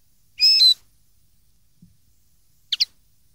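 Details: Linnet song for teaching young birds to sing (2013): a brief high whistled phrase that bends downward, a long silence, then a quick pair of sharp chips.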